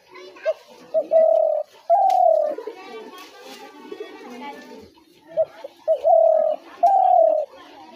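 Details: Spotted dove lure call for dove traps: paired long, level coos, each preceded by short clipped notes, repeated in two bouts about four seconds apart, with children's voices and chatter in the background.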